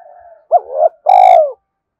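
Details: Calling spotted dove decoy meant to provoke males: a soft low hum, then a sharp rising note, a grating swelling note and a long even coo that slides down at the end.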